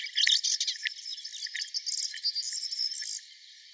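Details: Mila, 4 May 2021: a melodious warbler delivers a hurried, scratchy warble of high chirps and twitters, loudest at the start, then softening into a quieter chatter that stops just after three seconds.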